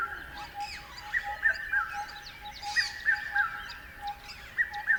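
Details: Birds chirping: one bird repeats a bright phrase of three short falling whistled notes every second or two, over a dense background of many small birds twittering and a faint, steady pulsing tone.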